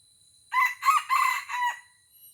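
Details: Aceh red junglefowl, a wild bird drawn in by a decoy cock during a fierce fight, crows in four rough, strained segments, the last one drawn out and fading, against a constant thin high-pitched tone.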